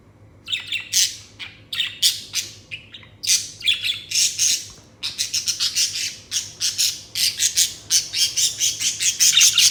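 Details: Pet Budgerigars (Melopsittacus undulatus) chirping in rapid, scratchy bursts, a busy run of high squawks and warbles.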